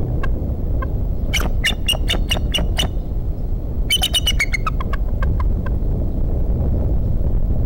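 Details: Bald eagle at a Decorah nest on a March morning, giving quick trains of high, piping chatter notes that trail off into sparser chirps, heard over heavy, constant wind noise.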